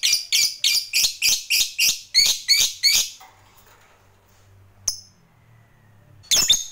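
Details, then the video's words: Fighter lovebird's ngekek panjang, long chatter used to stir up rivals: about eleven harsh, shrill notes in three seconds, followed by silence, a single sharp chip and a closing screechy burst. "Suara Lovebird ini Paling Bagus Buat Pancingan Lawan EMOSI Ngekek Panjang"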